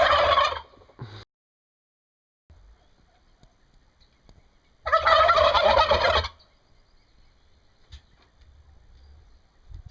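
Turkeys gobbling: a short rattling burst at the start, then a louder, longer gurgling gobble of over a second, with quiet pauses between.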